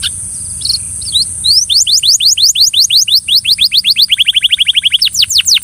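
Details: Belgian canary coaxing a companion canary to sing: a run of quick descending whistled strokes that speeds into a rapid trill of short notes, then a few deeper sweeping notes; constant high hiss behind.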